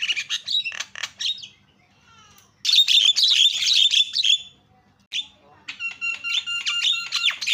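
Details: Javan myna calling as a lure to prompt other mynas to call: harsh chattering bursts, a pause, then a loud raspy rattle, followed by ringing, evenly spaced whistled notes.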